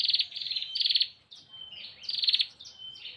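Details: Calling for a male, a female bar-winged prinia gives quick grating buzzes alternating with short sliding whistles, in rapid back-and-forth phrases.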